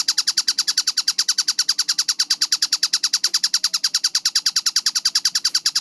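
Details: Kingfisher, called tengkek buto, in a fast-paced, clear-voiced masteran recording: sharp descending notes repeated about ten per second in an even, unbroken series, bright and high, with faint low background hum.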